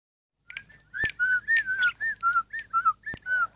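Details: Ten-year-old sooty-headed bulbul kept by an owner, singing a series of clear whistled notes, each slurring down slightly, about two per second, with a few sharp clicks between phrases.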